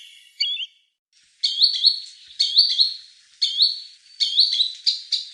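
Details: Green sandpiper call for hunting: a brief soft note, a pause, then loud rising whistled calls delivered about once a second, each with a strong ringing echo.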